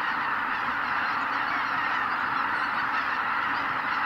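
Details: Roost departure of greater white-fronted geese at dawn, Kabukuri-numa, Miyagi Prefecture, Japan: a steady wall of countless honking voices blended with deep wingbeat rumble, no single call separating from the chorus.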